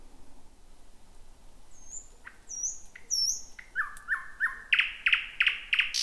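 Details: Night-singing thrush nightingale in dense bushes, 2026: faint high whistles, then upslurred notes building into loud hard knocking notes repeated about three per second.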